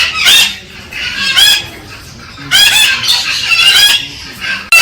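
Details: Galah cockatoo stimulating its mate with rough, grating screeches in three main bursts, long harsh phrases with a buzzy, wavering quality, quiet gaps between them.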